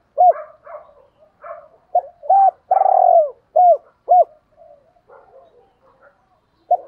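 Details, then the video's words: Spotted doves, male and female, cooing for training birds to coo: clear low coos with short rising-falling notes and one long drawn-out coo, interspersed with softer quiet notes. "tiếng chim cu gáy luyện bổi và mồi gáy theo hiệu quả ra đủ bài"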